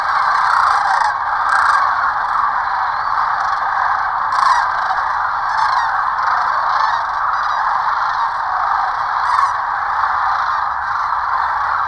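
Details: Sandhill cranes taking off and landing during their migration along the Platte River in Nebraska, captured by a sanctuary camera; repeated loud trumpeting calls break through a steady, heavy broadband roar.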